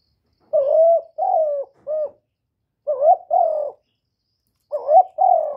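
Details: Spotted dove cooing phrases of the calling, urging and cooing (gọi, thúc, gù) type: three bursts of two or three mellow coos, each burst a wavering note then a longer steady one, separated by short silences.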